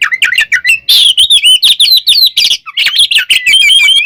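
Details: Kacer, or oriental magpie-robin, in continuous fighting song meant to anger rivals, a dense unbroken stream of twisting whistles, chatters and high squeaky notes.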